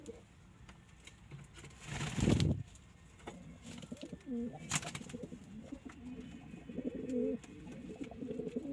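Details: Kept pigeons: a loud rustling thump early, then low bubbling coos with short rising-falling inflections in the second half.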